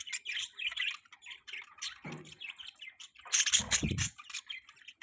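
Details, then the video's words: Budgerigar mating call heard as rapid high chirps and scratchy warbles in steady bursts, interrupted by a couple of low thumps. "Budgies Mating Call"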